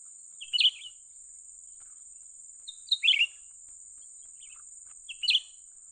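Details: Young bulbul, called cucak ranting, being lured for trapping: three chirpy clusters roughly two and a half seconds apart, each a quick double note sliding downward, plus a steady high whine.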